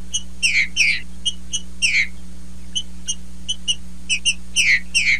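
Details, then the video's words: Green-winged saltator female singing as a male does, alternating short bright whistled notes with loud downward-sliding phrases in rapid irregular groups, over a steady low hum. "TRINCA FERRO FEMEA MACHEANDO"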